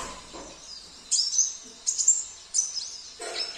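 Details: Oriental white-eye of the Sambas type, kept as a songbird, singing a rich song filled with imitations of canary, cililin, kapas tembak and jenggot; high, thin twittering bursts come about every 0.7 seconds over faint background noise.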